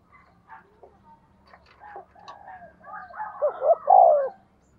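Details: Spotted dove used as a decoy for wild birds: scattered soft chirps and murmurs build into a loud low coo with rising notes and a drawn-out mellow ending.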